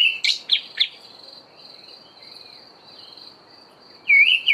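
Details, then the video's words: Olive thrush singing in the dawn chorus in early autumn: three quick high chirps, then a loud warbled phrase near the end, over a steady high insect-like hum. "Olive Thrush singing in the dawn chorus"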